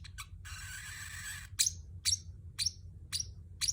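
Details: A pet Pacific parrotlet utters a second-long harsh rasping squawk, then five loud downward-slurred chirps roughly every half second, low hum beneath.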